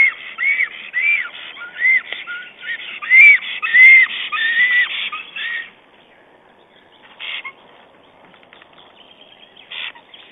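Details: Black stork male calling his mate while building up the nest with twigs and moss, nest camera, 22 April 2009; a run of high whistled, slightly rising-falling notes for about five seconds, then fainter scattered calls and quiet.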